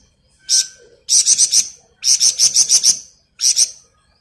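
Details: Flamboyan bird in energetic ngebren song, kept for masteran tutoring: sharp, very high chattering notes fired in fast rattling runs of four to seven, separated by short gaps, with one isolated double note near the end.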